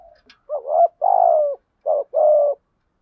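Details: Decoy spotted dove giving 'gù' coos to lure wild doves: two phrases of a rising note then a long, loud, falling coo, preceded by a faint click.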